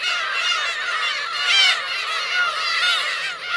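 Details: A gathering of Black-tailed gulls with chicks at Kurosaki coast, Teuri Island, Hokkaido, Japan, June 2021, fills the air with overlapping high, drawn-out wailing calls; one strong cry rises above the rest midway.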